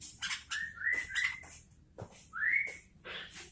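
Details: Sooty-headed bulbul (kutilang) singing actively: clear whistled notes that slide upward and are joined in a short rising phrase, then one more rising whistle after a pause, over soft clicks and low background rumble.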